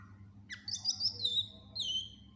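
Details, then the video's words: Greater green leafbird (cucak ijo) singing gacor with isian phrases for tutoring other birds: a brief burst of high, sharp whistles sliding downward, then a long falling whistled note, over a low background rumble. "Cucak Ijo gacor FULL Isian cocok buat masteran burung læn"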